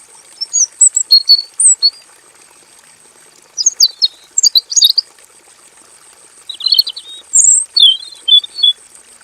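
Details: Male robin singing in a simple aviary: three bursts of very high, quick chirps, short whistles and buzzy trilled notes, separated by pauses of one to two seconds, with a faint constant high hiss.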